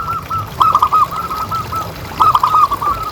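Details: Local zebra dove kept as a pet, a strong-voiced, frequently calling bird used as a master sound to prompt other doves to call. Two bursts of quick, bouncing, mellow cooing notes, each run rippling briefly then stopping, over a faint low hum.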